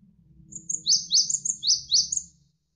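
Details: Single dense phrase of a Javan sparrow for tutoring songbirds: rapid, sharply down-slurred high chirps with fine ticks overhead, lasting under two seconds, with a low rumble of flowing water underneath.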